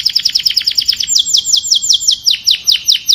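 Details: Canary song calling the flock: a quick high trill of bright pulses, then slower, louder notes sweeping downward about three times a second.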